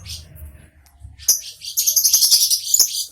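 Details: Lovebird giving a burst of shrill, high chirps in a rapid, uneven chatter that starts after a quiet, low-humming first second and carries on to the end.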